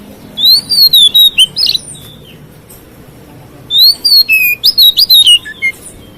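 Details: Two lively phrases from a white-rumped shama singing to provoke other shamas, each a fast string of whistled slurs and crisp chip notes, with a quiet pause between them.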